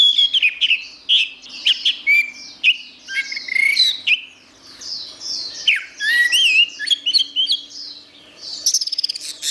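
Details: Orange-headed thrush, recorded as a master song for training songbirds, pours out a continuous medley of bright whistles, slurs and chattering notes, ending in fast high ticking.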